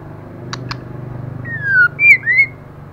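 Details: Moulting female white-rumped shama singing fiercely: two sharp clicks, a pause, then a falling whistle followed by two quick rising whistled notes, over a low buzzing hum.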